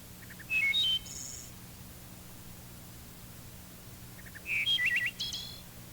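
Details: Wood Thrush song: two clear, flute-like "eole" phrases of stepped whistled notes, the second ending in a fast fluttered, trill-like series, with a low hum underneath.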